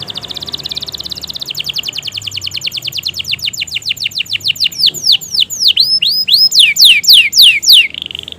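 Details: Canary singing long and vigorously, a lure for canaries that rarely sing: a dense rapid buzzy trill that slows into distinct downward-swept notes, then loud V-shaped whistles and a short buzz at the end.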